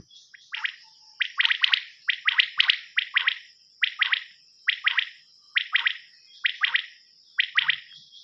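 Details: Night calls of a rain quail, played as a lure for hunting; sharp chirping notes in tight doubles and triples, bursts coming about once a second with a thin continuous high hum behind.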